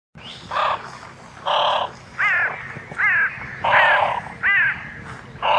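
A great crested grebe gives loud, harsh, croaking calls in quick succession.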